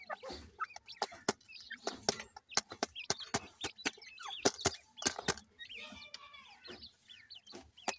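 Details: Grey francolin chicks calling their mother; dense clicking and tapping fill the first half, then a rush of high, rising and falling peeps crowds in toward the end.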